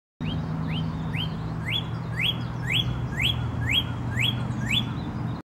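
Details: On April 20, 2023, a Northern Cardinal gives a steady series of clear, sharply rising whistles, about two per second, over a low background rumble.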